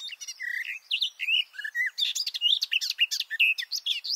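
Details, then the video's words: Close recording of a male garden warbler singing hidden in a bush, microphones two meters beneath him: a continuous, mellow, rapid warble of rising and falling phrases with no pauses. "This garden warbler song (Silvia borin) sounds great!"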